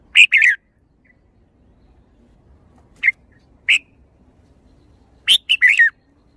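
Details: Red-whiskered bulbul, a kept songbird, delivering a quick warbled pair, then two single chirps about a second apart, then a fast burst of three or four bright notes, against a faint low hum.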